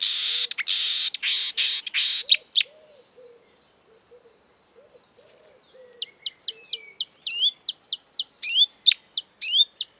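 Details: Marsh warbler mimicking other birds: a harsh buzz, then a string of evenly spaced thin whistles, then quick sharp chips, with soft low hooting from another bird in the background.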